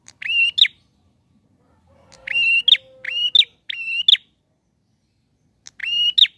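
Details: Bar-winged prinia calling hard to challenge an opponent; buzzy, nasal notes with an upturned end in pairs and a quick series of three, with a faint low tone in between.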